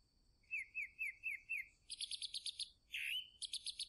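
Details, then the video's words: Chalk-browed mockingbird song: a run of five quick downslurred whistled notes, then a fast buzzy rattling series of high harsh notes, a rough swooping note and another rattle; steady faint high hiss behind. "SABIÁ-DO-CAMPO ♫"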